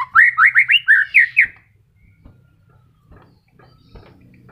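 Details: A white-rumped shama, moulting and just regrowing feathers, delivers a quick run of about seven looping whistled notes, then falls quiet over a soft background hum.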